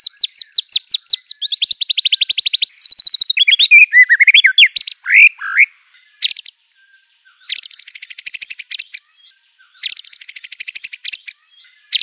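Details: A white-rumped shama bursts into aggressive song loaded with imitated canary, cililin, cungkok and lovebird material: quick high rattling trills, swooping slurred whistles in the middle, then two more dense chattering trills after pauses.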